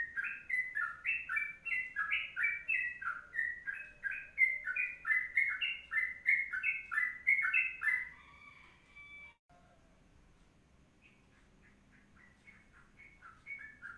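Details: Sooty-headed bulbul pours out a long 'kongslet panjang' song of rapid, fluty, up-and-down notes for about eight seconds and ends on a sustained whistle. After a near-silent pause, a few softer notes follow.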